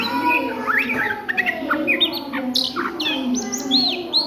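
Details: Daytime ngriwik song from an Oriental magpie-robin: rising whistles building into high arched slurred notes toward the end, with steady lower background tones throughout.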